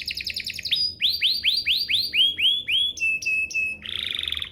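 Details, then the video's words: Canary song played to prompt other canaries to sing: a fast high buzzy trill, then a run of repeated rising-falling swept notes, short steady whistles, and a closing harsh rattling trill. "Pancingan Burung Kenari agar CEPAT BUNYI, terbukti ampuh bikin burung kenari lain nyaut"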